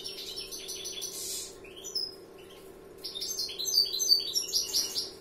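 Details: Song of a young European greenfinch in 'larguero' style: bursts of quick chirping notes and short falling whistles, a quieter gap, then rising twittering runs and sharp high notes. A faint steady hum continues throughout.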